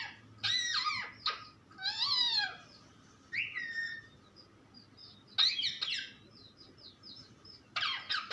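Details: Parrot alternating loud chirpy phrases with a descending whistled note and softer high twitters, in separate bursts with quiet gaps.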